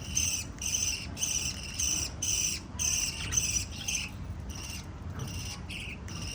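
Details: Lovebirds, five of them, chirping in quick succession: loud grating, buzzy bursts nearly twice a second, easing off and growing quieter toward the close.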